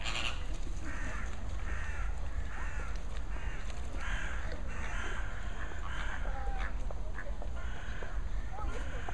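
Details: A group of greater and American flamingos giving repeated nasal, goose-like honks, several birds calling in overlapping bursts over a constant low rumble and steady high hiss.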